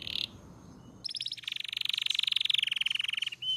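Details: Belgian canary singing: a brief high note, a short pause, then a long rapid trill of pulses repeated many times a second, held steady and slightly falling, ending with a short clear whistle.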